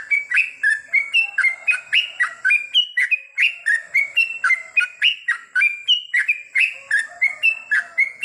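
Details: At night, a yellow-vented bulbul gives a long unbroken run of short clear whistles. The notes step up and down in a bouncy chattering rhythm, close to four a second, over a faint constant high-pitched hum.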